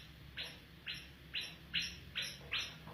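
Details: A White-eared Bulbul, called the Afghan bulbul, gives six short, bright, slightly rasping notes, one about every half second, over a low steady hum.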